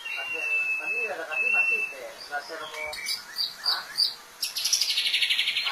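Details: White-rumped shama sounding two clear, level whistles, then a tumble of quick varied chirps and a rapid, harsh, high-pitched chattering rattle at the end.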